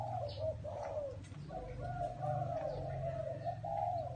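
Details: Spotted dove in a small garden, calling with soft, low cooing notes in a steady series of smooth, slightly rising and falling phrases, over a low constant hum.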